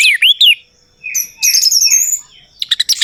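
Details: Orange-headed thrush song used as a lure to prompt a silent bird to sing: short high twisting whistled phrases, separated by pauses, then a quick burst of sharp clipped notes at the end.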